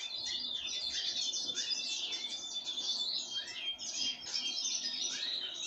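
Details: Continuous high chatter of chirps and slurred notes from pine grosbeak being given sunflower seeds, steady in loudness, a thin whistle line threading through.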